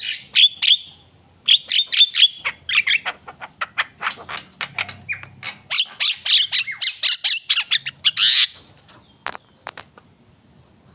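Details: Javan myna chattering at length: dense, fast streams of scratchy, clicking, squeaky notes with a few short whistled tones, broken by brief pauses.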